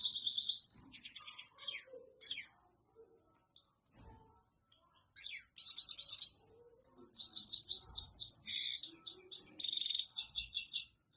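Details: European goldfinch courting a female with song for mating: high twittering trills at the start, a quiet stretch with a few isolated chips, then an energetic, dense run of tinkling, warbled phrases to the end.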